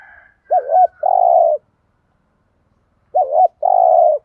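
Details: Spotted dove used as a lure to provoke wild doves into fighting and calling back: two low cooing phrases, each a quick wavering double note then a longer steady buzzy coo, about three seconds apart, with a faint higher call at the start.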